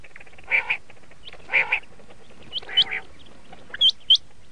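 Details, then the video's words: Red-shade colour common quail giving short nasal double notes about a second apart, followed by sharp, high upslurred chips. "Red shade common quail sound/ laal Batir ki awaz"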